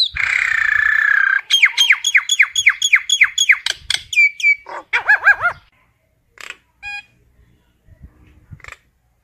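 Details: Common myna calling its flock, opening with a long grating buzz, then rapid repeated downslurred whistles and a burst of bubbling arched notes, before sparse short chips and pauses.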